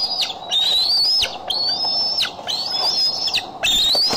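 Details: Bald eagle on the Decorah eagle cam, July 6, 2011; loud, drawn-out whistles rising gradually, each cut off by a steep downward slur, about one a second, with a faint flap-like thud.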